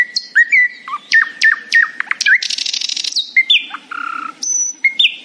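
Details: Nightingale singing happily in the morning: varied whistled phrases with sharp downward notes, a buzzy rasping burst in the middle, and clear rising and falling tones, separated by short pauses.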